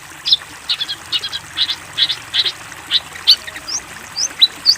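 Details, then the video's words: Long-tailed shrike master song used to train young birds: scattered short high chirps and quick upslurred whistles, spaced irregularly about every third of a second, with a few sharper rising notes near the end over faint background hiss. "MASTERAN BURUNG CENDET COCOK UNTUK CENDET TROTOL / ANAKAN ANDA"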